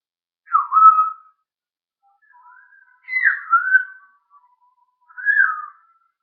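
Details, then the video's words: Talking parrot filmed 1 June 2013 whistles three times: a falling whistle, a longer two-part dipping whistle, then a shorter falling one, with quiet murmurs between. "The Talking Parrot"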